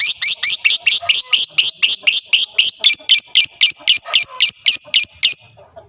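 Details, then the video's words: Lovebird in sustained lure chatter to make other lovebirds reply loudly: a fast, steady run of about twenty shrill, squeaky high notes, nearly four per second, ending abruptly. "dengarkan sebentar saja, lovebird mu di jamin langsung nyaut rame bunyi gacor"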